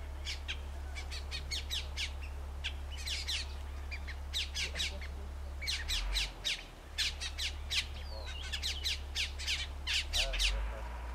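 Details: Flock of Colombian mountain grackles, known locally as "Cocha", in oak forest of Colombia's eastern cordillera; dense chorus of harsh, clipped squawks repeated irregularly, several birds calling together over steady low wind rumble.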